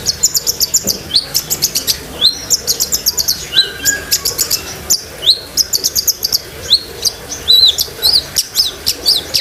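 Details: Energetic long-tailed shrike song stuffed with filler phrases, meant for training pet shrikes; rapid bursts of very high ticking notes alternate with sharp upslurred whistles and squeaks, almost continuous, with little background noise.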